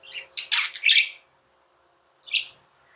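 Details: Tame pet budgerigars giving a burst of harsh, buzzy chirps over about a second, then silence, then one short scratchy chirp.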